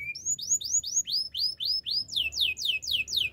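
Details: Canary singing to train other canaries: a clean series of upward-sweeping whistled notes about four per second, shifting into faster downward-swooping slurs, very clear with no background noise.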